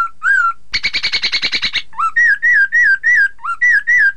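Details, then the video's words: Chinese hwamei singing to provoke rival birds into answering: one slurred whistle, a quick harsh rattling burst, then a steady series of clear up-and-down whistled notes about three per second. "Terapi poksay hongkong agar lawan ikutan bunyi"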